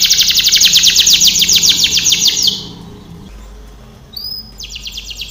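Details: Canary training song: a long, fast trill of evenly repeated high notes for over two seconds, a pause, a brief rising whistle, then another rapid trill begins.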